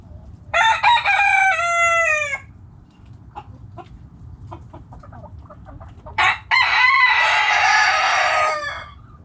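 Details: Backyard chickens: two loud harmonic rooster crows, each about two seconds long, separated by scattered short hen clucks, over faint low background hum.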